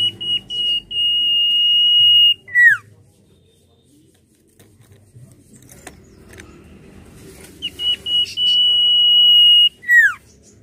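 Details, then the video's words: Common iora in energetic nyiul-style song, kept as a lure to train other birds: two long, level, piercing whistles, each ending in a sharp falling note, separated by a quiet stretch of low rustling and rumble. "BURUNG CIPOH GACOR NYIUL COCOK UNTUK PANCINGAN BUNYI"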